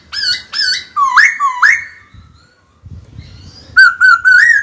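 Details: Black-throated laughingthrush kept as a caged songbird, singing to challenge a rival: quick repeated whistled upslurs, then a quiet stretch with faint low rustling, then a new run of ringing wavering whistles.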